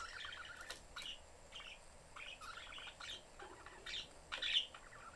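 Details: Pet budgerigar family, father, mother and young, in a cage with its door open, the young one seeking attention; quick bursts of scratchy, chattering chirps and short warbles come in irregular clusters throughout, with a louder sharp note near the end.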